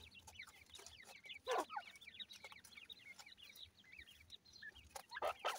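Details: Francolin chicks, the desi Irani teetar, reared by people, chatter in rapid overlapping cheeps rising and dropping in pitch, punctuated by loud clattering thumps.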